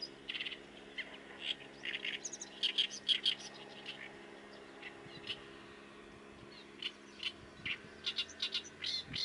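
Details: Oriental reed warbler delivering its loud, harsh song: grating chattering notes repeated rapidly in uneven clusters, roughly two per second, against faint background noise.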